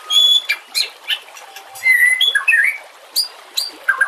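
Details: White-rumped shama song used to train other birds: scattered short whistles and squeaky notes, some high and thin, with gaps between them and soft background hiss.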